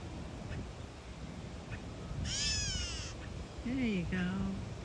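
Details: A catbird protecting its nest on a boardwalk, tail fanned, gives a single harsh, nasal, mewing call under a second, followed by soft human speech over steady background hiss; meowing and chirps may come from the mate or a possible intruder.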